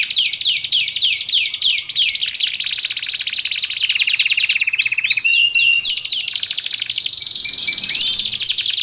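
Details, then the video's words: Singing canary, recorded as a tutor and lure track: quick repeated downward-swooping notes, then dense rattling trills and short whistled phrases, all high-pitched and continuous. "Audio MP3 Suara Kicauan Burung Kenari Menggila Untuk Masteran Dan Pikat 1 Jam Nonstop"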